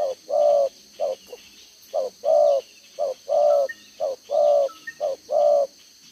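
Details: Spotted dove decoy, two-row spotted collar, 11 June 2023, cooing 'đồng gáy 1 hậu'. It repeats low hollow coos in short-long pairs, sometimes with an extra short note, at a steady pace. Occasional thin whistles from another bird.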